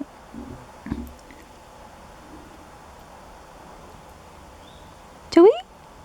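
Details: At sunset in a backyard, an Eastern Towhee gives one loud, rising, slurred call near the end. A woman speaks softly at the start, and a faint thin whistle comes just before the call.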